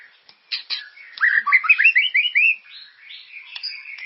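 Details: White-rumped shama (murai) singing to stimulate caged birds: a few harsh clicks, then a rapid ascending run of rich whistled notes, trailing off into softer high twittering.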